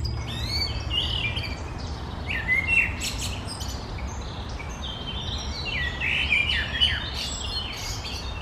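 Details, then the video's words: Common blackbird singing on the morning of 1 June 2020, varied warbled phrases of mellow notes ending in high twitters, over a steady low rumble. "kos żegna śpiewem"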